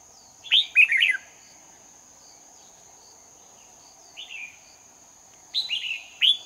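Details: Red-whiskered bulbul recorded during bird trapping in Hoa Binh, Vietnam, on 18 November 2019. Short, bright warbled phrases come in bursts near one second, four seconds and six seconds, over a steady thin high whine and quiet background hum.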